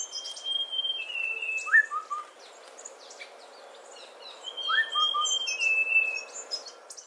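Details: Streak-breasted scimitar babbler sings two whistled phrases several seconds apart, each a rising note then two low hoots. Another bird's long, level high whistles and varied chirps come alongside.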